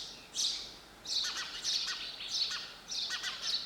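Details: Lively sparrow chirps, sharp and high, delivered in pairs and short groups with brief gaps between.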